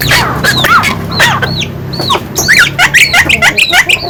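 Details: Javan myna in full song: loud, varied, upward-sweeping and hooked whistles mixed with harsh notes, becoming quicker and denser toward the end. Low hum underneath.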